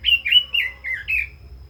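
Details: Five clear slurred whistles from a Red-billed leiothrix, each dipping and rising, delivered in a quick even phrase of 'kích giọng' song.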